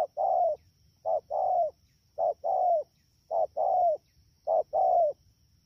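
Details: Rainy-season wild-caught spotted dove, Dak To, Vietnam, 3 October 2019. Four neat cooing pairs, each a short coo then a longer, downward-ending coo, repeated about every 1.1 seconds.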